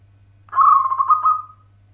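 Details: Local zebra dove (perkutut lokal) singing in the warung kebek style: one low, rolling, trilled coo lasting about a second, fading at the end, with a steady low hum beneath.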